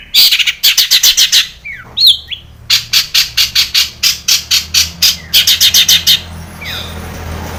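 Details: Long-tailed shrike lure song for stirring captive shrikes to sing: loud rasping buzzy notes in rapid runs of about six a second, broken by a few short slurred whistles.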